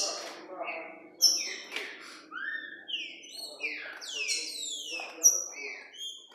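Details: Green-winged saltator (trinca-ferro) singing in a very orderly way: loud, clear whistled phrases of slurred, mostly descending notes with sharp high accents, delivered steadily through the stretch with a faint low murmur beneath.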